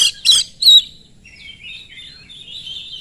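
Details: Oriental magpie-robin singing as a lure for other magpie-robins: three loud harsh bursts at the start, then a soft, wavering, warbled chatter trailing on.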